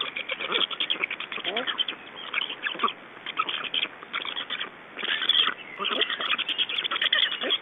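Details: Black stork young in Estonia at feeding time as adults change over at the nest, evening of 2 June 2012; fast, scratchy pulsed calls run together in long bursts, with occasional short rising squeaks.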